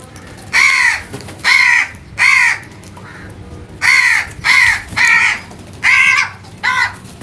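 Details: Crow giving loud, harsh caws, eight calls in about seven seconds, each a short rasping burst delivered in irregular pairs and singles with brief pauses between, over a faint low background rumble.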